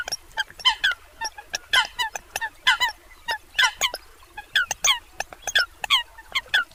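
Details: Eurasian coots give loud, abrupt, nasal calls in uneven bursts, clusters of two or three notes separated by short pauses, with fainter calls beneath.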